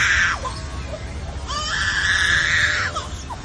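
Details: Echo, a superb lyrebird at Taronga Zoo, Australia, imitates a crying baby: two long, wailing cries, each falling away at the end, with a short gap between them.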